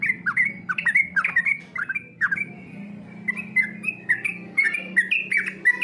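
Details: Competition-style song of a yellow-vented bulbul for training: clusters of quick chirping, slurred whistled notes in short phrases, broken by brief pauses, with faint low background hum.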